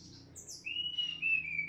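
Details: Snowy-browed flycatcher singing to excite rival birds: faint high descending notes followed by long, thin, level whistles that rise slightly and waver, sung clearly over a soft low background hum.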